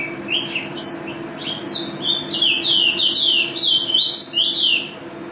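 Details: Champion white-eye from a national contest singing a fast, continuous twittering run of high slurred whistles and chirps, rising and falling, over a faint low hum.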